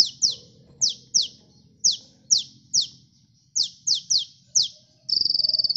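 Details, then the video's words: A sunbird lure song, kolibri gacor style: high, steeply falling whistles given singly and in quick pairs with short pauses, ending in a rapid, even, buzzing trill. "Suara burung KOLIBRI gacor ampuh pikat"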